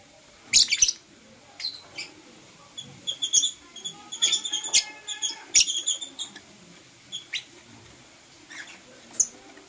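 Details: Lovebirds, blue opaline and euwing opaline, chirping in the morning while kissing; sharp, high squeaky chirps come in scattered bursts and quick clusters, louder around four to six seconds, over a faint steady hum.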